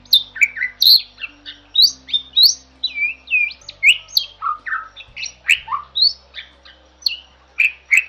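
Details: Bali myna, a protected bird of Bali now rare in the wild, in tutor song: a continuous flow of varied chirps, slurs and harsh squeaks, roughly two to three notes each second.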